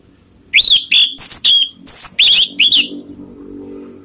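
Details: Orange-headed thrush uttering a fast series of about eight loud harsh notes, each carrying a rising-then-falling whistle, then a soft low hum remains.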